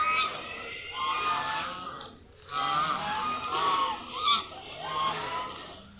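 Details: Several ducks noisily calling at once, giving harsh, honking, overlapping calls in waves, with one short pause.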